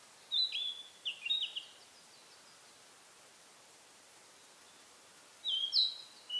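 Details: In a pine forest in spring, a narcissus flycatcher sings hard from a single pine branch, seemingly claiming territory: one quick whistled phrase, a long pause, then a bright rising note opening the next phrase.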